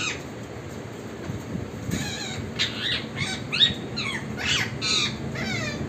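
A parrot gives a run of harsh, buzzy chirps with rapid up-and-down harmonics.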